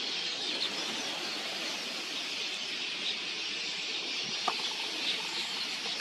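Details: Millions of migratory red-billed queleas in a vast swarm arriving to drink at a watering hole, countless high chattering calls and wingbeats merging into a steady hissing roar, with one or two brief louder notes.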